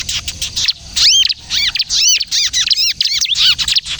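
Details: Bar-winged prinia (ciblek kristal) singing, song used for luring and to make other birds sing; soft ticking at first, then loud high arching chirps in quick succession.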